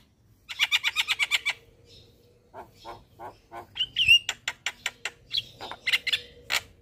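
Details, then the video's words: Javan myna, lively morning song for training caged birds: a fast rattling series of about ten harsh notes, a pause, lower clucking notes, then a bright whistle and more clipped chatters. "Jalak Kebo Gacor Mnggut manggut pas Buat Masteran Jalak Pagi Hari"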